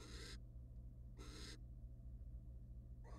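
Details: Wild male and female barn owls in a nest box during mating and preening: two rough, breathy hiss bursts about a second apart and the start of a third, with a constant low hum underneath.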